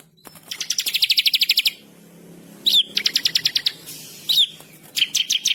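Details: Bar-winged prinia, an energetic singer, giving rapid dry trills of evenly spaced high notes, a long run followed by shorter bursts, each introduced by a sharp upslurred chip.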